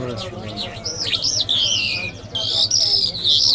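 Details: Iranian lark, called a jal and described as mashhadi mast, singing a run of clear whistled slurs that swoop up and down, then long high sustained whistles, over a steady low background hum.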